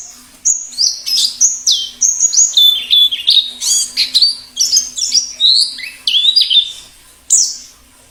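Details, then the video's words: Singing wild white-eye of the plengi ngalas kind, meant to draw in wild birds and stimulate captive singers: lively high chirps in short grouped bursts, jumping between pitches, ending with one isolated sharp note. "Suara plengi ngalas"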